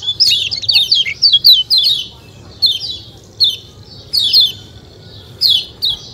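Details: White-eye, called kecial kuning, giving a 'ciak ciak' chattering song: bright, high, downward-slurred chirps in quick clusters, then spaced single notes about once a second, over a faint low hum.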